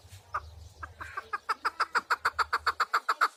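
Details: A partridge gives a steadily accelerating run of loud, evenly spaced chuck notes, about three per second and building in strength after a few hesitant opening calls.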